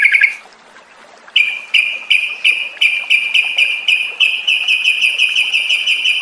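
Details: Ngropel-style lure sound of a yellow-vented bulbul, meant to get caged birds singing: after a brief note and a pause, a fast series of buzzy pulses speeds up into a continuous rattling trill.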